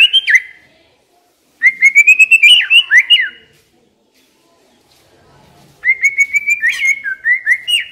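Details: Decoy white-rumped shama singing three whistled phrases, each a rapid run of clear rising notes with slurred, looping endings, separated by quiet pauses.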